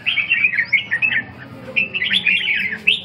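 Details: Red-whiskered bulbul song: lively burbling phrases of quick warbled notes in two bursts, with a brief quieter pause between them.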